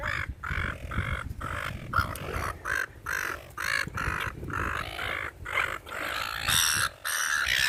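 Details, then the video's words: Gulls being fed in a park call repeatedly with harsh, hoarse squawks in irregular bursts, several birds overlapping, over steady low outdoor noise. "FEEDING THE SEAGULLS IN THE PARK/ SEAGULLS SOUND EFFECT"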